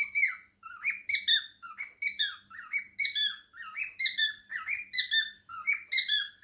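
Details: Indoor pet male cockatiel chattering and singing, with budgies nearby; rapid downslurred chirps in loose bursts roughly once a second, each rich in overtones, with short gaps between phrases.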